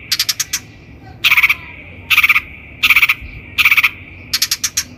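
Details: Long-tailed shrike, locally called cendet, in a training lure recording: rapid series of dry ticking clicks alternating with harsh, grating pulsed bursts, roughly one burst every 0.8 seconds, against a quiet background.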